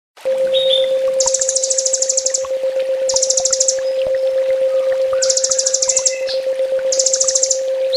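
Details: Kolibri ninja (olive-backed sunbird) in full tembak master song for training, with dense buzzy trills high in pitch in bursts about one second long, four bursts separated by thin chips and short whistles, over a steady low electrical hum.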